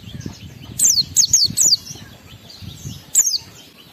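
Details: High, sharp downslurred whistles from an Oriental white-eye, a song used to stir emotion and breeding urge in other white-eyes, given in a quick cluster of four notes, then one more after a pause.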